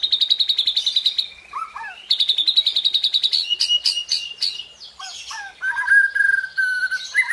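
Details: White-rumped shama pouring out tembakan and isian: fast, rhythmic trills in two bursts, then loud choppy notes and a long, level, whistled tone near the end.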